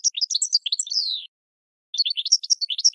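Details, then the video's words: Goldfinch, sung for training cage birds: a rapid twittering phrase ending in a slurred descending note, a short gap, then another burst of lively chirps; clean, with no other sounds. "Goldfinch 12h Excellent for Training"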